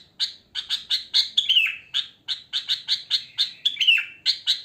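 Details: Natural wild song of a sooty-headed bulbul, free of inserted tutor phrases. Evenly spaced sharp chirp notes are broken by two descending slurred whistles, one early and one late.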